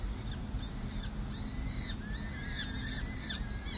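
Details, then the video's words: Peregrine falcons at a nest on San Jose City Hall, California, with four chicks aged six and seven days during feeding in May 2024. Arched, slurred calls are repeated about every half second over a steady low hum. "Hartley feeds 4 chicks 🐥🐥🐥🐥 Monty serenades 🎶"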